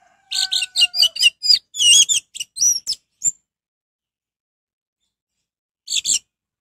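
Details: Orange-headed thrush singing a lively, varied lure song meant to stir other orange-headed thrushes into singing: a quick run of sharp high chirps and slurred whistles over three seconds, a pause, then a short burst. A faint steady tone sounds beneath the start.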